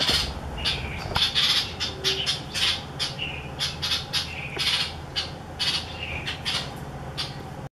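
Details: A light-vented bulbul calls urgently for an unknown reason on the morning of 28 December 2017, giving harsh squawking calls in rapid bursts of about two or three a second, over a low background hum.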